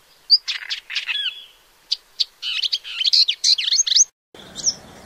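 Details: Rapid, varied warbling from a paddyfield warbler: strong chirps, slurred whistles and scratchy notes strung together in a jumbled, energetic phrase.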